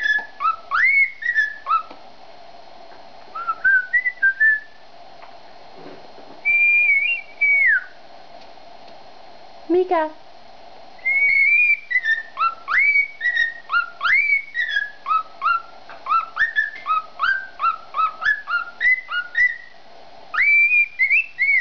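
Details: A male cockatiel sings to his female mate, who has just come out of the shower, in clear, rising and falling whistled phrases over a steady background hum.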